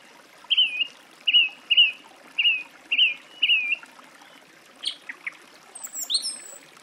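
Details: Song thrush repeating one whistled note six times in a steady series, about two per second, followed by varied shorter notes and a high, squeaky flourish; soft running water in the background.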